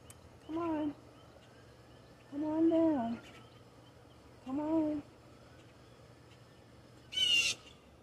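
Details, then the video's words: Raven perched in an ash tree in a backyard, filmed through a sunroom window: three hoarse, harmonic croaks spaced about two seconds apart, then a short, higher, noisy burst near the end. "The Distinct Call of the Raven"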